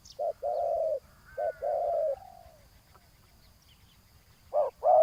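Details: Decoy spotted dove on the ground calling to a rival: two short-then-long coo phrases, a pause of about two seconds, then new sharp coos starting at the end.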